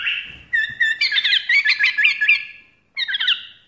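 A bulbul gives a quick run of bright, chattering notes with slurred whistles, pauses briefly, then adds a short final phrase.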